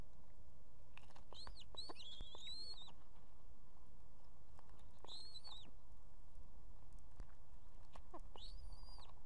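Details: Calling female osprey at an Estonian nest with two chicks, urging the male to bring fish; bursts of rising whistled notes, several in a row, repeated in three groups across the recording.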